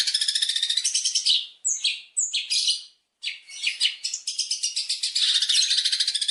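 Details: Long-tailed shrike in energetic, varied opening song for luring other birds: fast high rattling chatter, interrupted by scratchy squeaks and a brief pause, then the rattling stream builds again.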